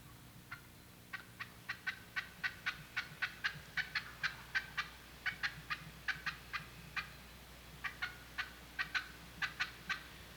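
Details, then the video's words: An Eastern wild turkey hen in the Midwest in spring gives cutting, an excited mating call like the cackle that excites gobblers: a rapid, irregular string of about thirty short, sharp, loud yelps and putts, with brief pauses. "The excited call of the hen, similar to the cackle, is known as cutting."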